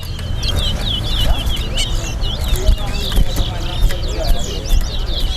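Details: Chestnut-bellied seed finch in a Guyana singing competition between two birds, while judges count: dense, rapid series of sharp high slurred notes repeated many times a second, over background voices and low rumble.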